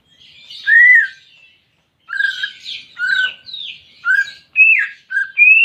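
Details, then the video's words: Greater green leafbird song played to stimulate a silent caged bird: an arched whistle, a pause, then quick varied whistled notes mixed with buzzy chatter. "Terapi Cucak Ijo Malas Bunyi"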